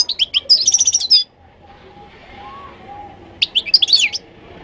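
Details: Moroccan goldfinch from Morocco singing two bursts of bright, tinkling twitters, rapid high liquid notes separated by a quiet gap, over a faint low background hum.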